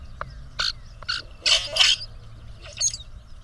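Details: Two male grackles puff up and present themselves to a female, competing to impress her; harsh, wideband squeaky bursts come in an irregular series, the loudest doubled near the middle, with a lone thin whistle toward the end.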